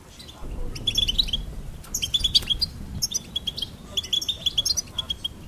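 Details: Goldfinch song built from phrases of rapid, evenly pitched repeated notes ending in quick flourishes, with a faint low hum in the background.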